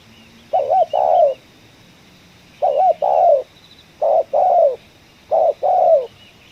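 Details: Spotted dove with the 'ngeruk' style call, recorded while trapping in a coffee plantation. Four phrases about 1.5 seconds apart, each a short bent note and a longer rough, falling coo.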